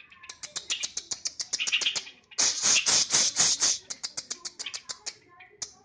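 A Sooty-headed bulbul gives rapid, sharp chattering notes, about four a second, high and bright, swelling into a louder burst midway before easing off.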